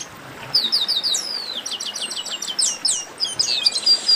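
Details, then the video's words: A dense run of chestnut-capped blackbird song: high chirps and sliding whistles in quick repeated series, some notes sweeping down steeply, forming a continuous twittering chatter. "Baderna de Garibaldi"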